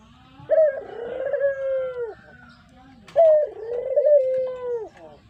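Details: Brown Barbary dove kept in captivity, its song suited for luring: two long, resonant coos about two and a half seconds apart, each starting with a sharp lift and settling into a steady, softly trilling hum.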